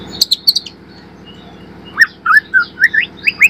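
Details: White-rumped shama song, from a young spotted bird, used as a lure to train birds to sing: a few high chips, a pause, then a run of seven loud rising whistled slurs about every quarter second, over a low hum.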